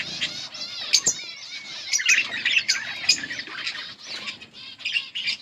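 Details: Yellow budgerigar pair chattering, continuous soft warbling with rising and falling whistled chirps, a couple of sharp clicks and faint rustling in the background.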